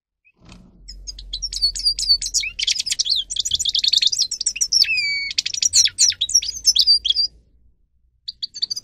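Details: Grey-crowned goldfinch song meant to stimulate goldfinches to sing loudly: a rapid, dense twittering of high buzzy and whistled notes running about six seconds, with a clear drawn-out descending whistle midway, then a short pause and a few final chirps.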